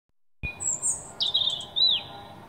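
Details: European robin singing in the morning: a thin, high phrase of sliding whistles and quick trills, starting on a high sustained note and ending with a falling slur.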